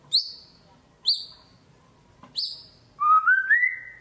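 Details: White-rumped shama lure song used to stir quiet birds into singing: three sharp, high, downward-slurred notes, then a clear whistled phrase climbing in steps.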